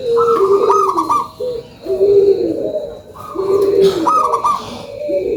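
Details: Local zebra dove sings a lure song: paired low and high trilled coos, bubbly and rhythmic, repeated in phrases separated by short gaps.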